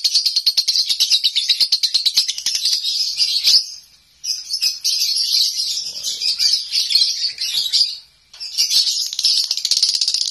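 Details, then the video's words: Konslet-style nonstop song of a home-kept lovebird: long bursts of fast, shrill chattering broken by two short pauses, then resuming at full speed. "Lovebird konslet rumahan bikin heboh!!"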